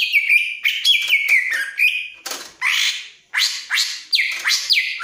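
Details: Greater green leafbird in breeding condition pours out a fast chain of chirps and level whistles, then a run of rasping downward sweeps.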